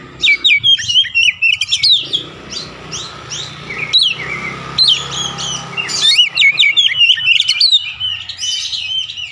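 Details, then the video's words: Oriental magpie-robin singing vigorously, mimicking Javan myna calls: long bursts of rapid, loud chirps and slurred whistles, paused briefly before starting again at full speed, with faint low background noise. "KACER GACOR BESET SUARA JALAK KEBO"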